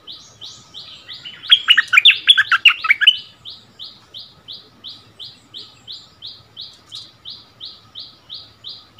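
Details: Bulbul decoy and resident territory holder duelling in song, 3 February 2021; a loud rattling warbled phrase cuts into a long series of short, even chirps repeated nearly three times a second.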